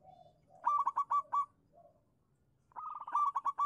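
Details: Zebra dove from local stock in song, used as a lure to prompt other doves: two bursts of quick stuttering coos with a soft, low note in the gap between.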